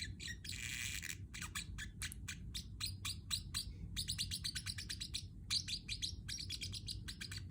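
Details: Pacific parrot chirping, meant as company for a pet bird: dense runs of quick, bright chirps and short trills, some in fast stuttering bursts, with steady low hum underneath.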